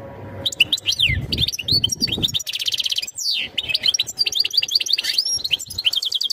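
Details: Breeding-season song from a European goldfinch, used to get the female ready for mating: twittering phrases with falling slurred whistles, a dense buzzy stretch, then crisp repeated chirps, with a low rumble under the first two seconds.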